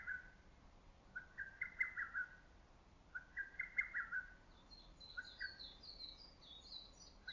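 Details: Lesser cuckoo in green early summer woodland, its voice carrying through the forest: three bright whistled phrases of hurried notes, evenly spaced, followed by another bird's high twittering song.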